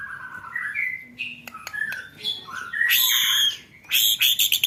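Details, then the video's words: Murai batu training song for contest birds: separate whistled notes rising in steps, then harsh high buzzy bursts and rapid clicking rattles near the end, with short quiet gaps between phrases. "DURASI ROLL TEMBAK BIKIN GADUH DI GANTANGAN √√ masteran burung lomba full materi roll tembakan"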